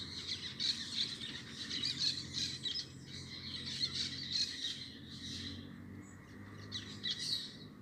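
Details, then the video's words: Group of parakeets twittering: continuous shrill, scratchy chirps overlapping in a busy chorus, thinning out after about five seconds into scattered calls, with a faint low hum beneath. "Som dos periquitos"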